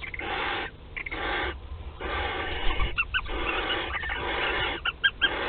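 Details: Barn owl at a nest on 15 March 2021, in Théding, France, the day the first egg was laid: long, rasping, breathy hisses about half a second each in a steady series, with a few brief higher squeaky notes.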